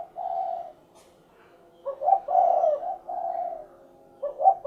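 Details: Spotted dove (derkuku) cooing a low, mellow phrase: a drawn-out hoot, then a double-noted rolling coo and another long hoot, with a new phrase beginning after a pause.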